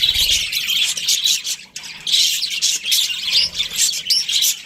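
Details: A breeding pair of Australian budgerigars chatters continuously in high, raspy chirps and squawks. There is a short pause near the two-second mark, then the chatter builds again.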